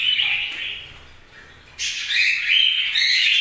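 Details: Budgerigars chirping: bright, scratchy high chatter for the first second, a quieter gap, then a burst of louder, denser warbling chirps to the end.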